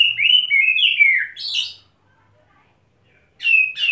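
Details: Kept Oriental magpie-robin, freshly bathed, staying on one perch and wing-flaring as it spills out learned fill-in material. A rich, rolling whistled phrase with dipping notes ends in a sharp buzzy note. After a short silence, another bright whistle begins.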